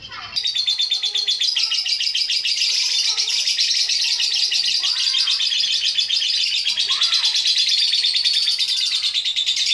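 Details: Lovebird giving long ngekek song meant to provoke other lovebirds into singing: one unbroken, rapid, high chattering trill that runs for nearly ten seconds at a steady pace, with soft faint chirps underneath.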